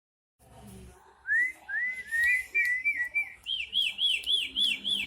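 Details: Starling singing vigorously: a few slurred, rising whistles, then a fast run of about eight loud, wavering whistled notes, each rising and falling, at roughly four per second, clear and dominant over faint background.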